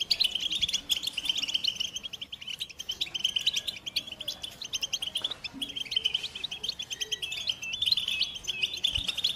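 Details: American goldfinch song as a long, steady torrent of fast, high chirping and trilled notes, briefly thinning around the middle before resuming at full density.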